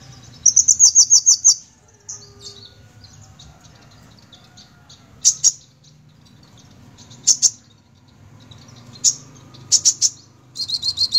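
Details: Sunbird in 'gacor' song: an opening fast shrill rattle, then scattered single high sharp notes and short double ticks spaced a second or two apart, ending in a quick squeaky flurry.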